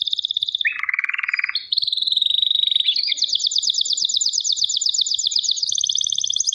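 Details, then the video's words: Canary in full song, starting with a low rolling trill, then a clear steady tone, then a long rapid high trill of evenly repeated notes that stays level to the end. "KANARYA ŞAHANE ÖTÜYOR"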